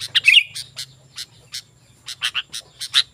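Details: Energetic sooty-headed bulbul, sound meant to lure wild bulbuls and tutor caged ones: a quick warbled phrase at the start, then spaced single sharp chirps, some paired, with a faint low drone behind.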